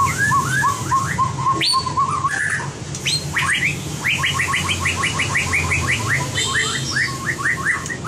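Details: Competition-style song of a white-rumped shama in training: a string of quick repeated notes, then loud upswept whistles repeated rapidly in a long rhythmic series, over low hum.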